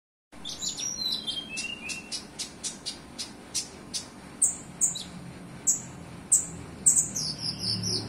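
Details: Olive-backed sunbird singing a song filled with cililin phrases: a quick series of sharp, very high ticking notes mixed with thin descending whistles, then louder squeaky chirps repeated roughly every half second.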